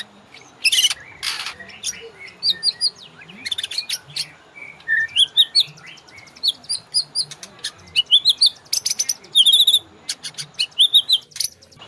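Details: White-rumped shama song recorded as a master for training caged birds: varied short phrases of high twittering, rich mid whistles and harsh bursts, repeated in irregular sequence.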